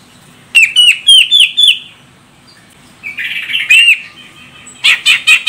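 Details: Grey-cheeked bulbul female, Medan type from Sumatra, calling so a male starts singing: four falling whistled notes, a pause, a rasping buzzy phrase with one whistle, then a quick burst of harsh chatter.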